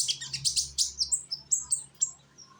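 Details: Young sunbird in Indonesia singing as a lure for other birds: quick series of high sharp chips and thin descending whistles, fading out, with a faint low hum.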